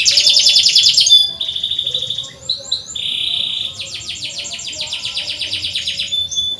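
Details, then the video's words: Canary song used as a lure to prompt silent canaries to sing: bright high trills of rapid repeated notes, a sustained whistled tone near the start, then buzzy rolling phrases running on without pause. "PANCINGAN BURUNG KENARI SUARA CUIT CUIT COCOK UNTUK MASTERAN BUAT YANG SUSAH BUNYI"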